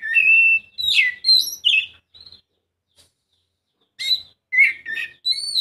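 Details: Oriental magpie-robin pancingan song to make a lazy bird start singing: a level whistle, a cascade of sweeping high notes, a pause, then sharp chirps and rising whistles resuming.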